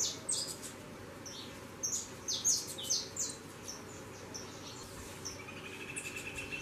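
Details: Fledgling saffron finches flying out of the nest: scattered high, squeaky chirps in short runs, softer toward the end, against constant background hiss.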